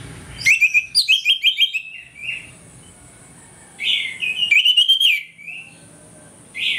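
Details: Morning song of an orange-headed thrush played as a lure to make birds aggressive: rapid runs of sharp, ringing whistled notes, about seven in quick succession, then a pause and a second fast, buzzier burst.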